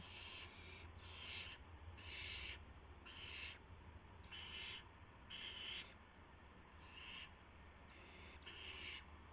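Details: Nighttime owl nest, 19 March 2016, with adults bringing mice and a gopher to two owlets; about nine rasping, hissy screeches in irregular succession, some overlapping as if from more than one bird, above a constant low drone.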